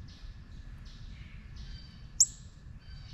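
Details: Short sequence from a juvenile northern cardinal: high, slightly buzzy notes sliding downward, repeated several times, plus one sharp, loud high chip; quiet low rumble underneath.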